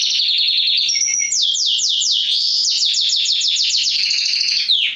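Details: Male mosaic canary singing to stimulate mating and teach chicks. Loud, continuous rolling song of fast repeated sweeping notes, changing into quicker downward-slurred trills and ending in a descending glide.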